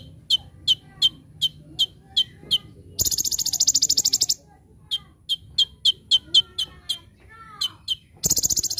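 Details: Olive-backed sunbird (konin) singing for a training master: regular high chips, a rapid rattling trill burst (tembakan) of over a second, more chips with slurred whistles, then another trill begins.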